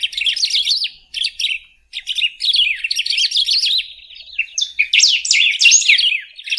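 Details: Singing golden-billed saltator delivering an almost continuous stream of quick, high, warbling and chattering notes in several bursts with only short breaks, strongest toward the end.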